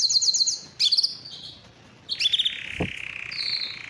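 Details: Canary song, stated as Belgian canary singing: short bursts of rapid high notes separated by gaps, a descending whistle and a soft sustained tone, with one low thump.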